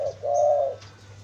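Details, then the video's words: Spotted dove call used as a lure for wild doves: a short low coo followed by a longer sustained hollow coo lasting about half a second, then quiet with a steady low hum. "burung Tekukur sangat cocok untuk pancingan tekukur liar"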